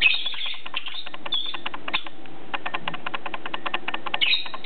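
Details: Playing together, two lovebirds with PBFD make harsh high chirps at the start, around a third of the way in and at the end, set against continuous fast clicking and tapping noises.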